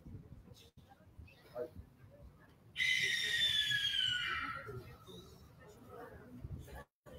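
Barn owl giving a single harsh, hissing screech lasting about two seconds, raspy and falling slightly at the end, with faint room noise before and after.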